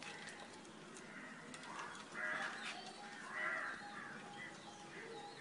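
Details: Eclectus parrot at home in Nawalapitiya, Sri Lanka, making two moderate, hoarse squawks roughly a second apart, amid faint clicks and a low steady background hiss.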